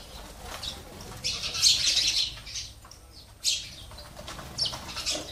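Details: Sparrows enjoying a water and food feeder in a home give a dense run of rapid high chirps lasting about a second, followed by shorter scattered chirp bursts, with wing flutters mixed in.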